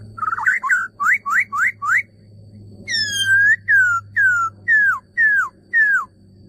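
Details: A male laughingthrush sings a fast run of upslurred whistles, then a series of loud down-slurred whistles repeated roughly every 0.6 seconds, over a steady low hum.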